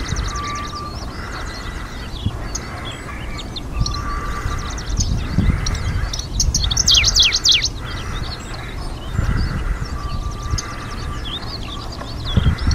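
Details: Middendorff's grasshopper warbler singing on its Hokkaido breeding grounds in a coastal wildflower meadow, 2023: one loud chattering burst of quick downslurred notes midway, fainter phrases around it, over constant wind buffeting and a steady high hum.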